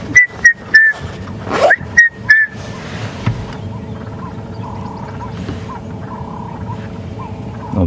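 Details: A red-chested cuckoo, a summer bird, gives loud, clear whistled notes in quick, slightly falling groups of three during a morning safari drive at Djuma Game Reserve on 5 November 2015, over an idling vehicle engine.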